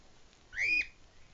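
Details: A male pet cockatiel gives a single clear whistle that slides upward, then holds steady before cutting off.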